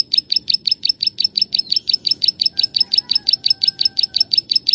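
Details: Plain prinia, known locally as ciblek sawah or klik-klik bird, singing for use as a master recording to train and lure birds: fast, even series of sharp high clicking notes, about three per second, steady throughout.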